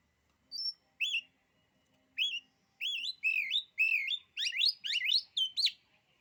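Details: Oriental magpie-robin song meant to cow rival birds: varied, sweet whistled notes that start spaced out, then speed into a rapid run of looping, rising and falling phrases.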